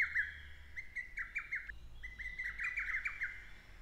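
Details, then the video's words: Wild Lesser Cuckoo singing in the Shin'etsu satoyama countryside of Japan in early June: rapid bursts of loud, clear whistled notes, short staccato phrases tumbling together, with faint high chirps from other birds behind. "ホトトギス 鳴き声"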